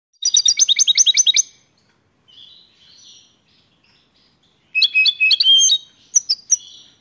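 A goldfinch sings two quick bursts of bright, liquid twittering, each about a second long, with a few soft chirps in the quiet between.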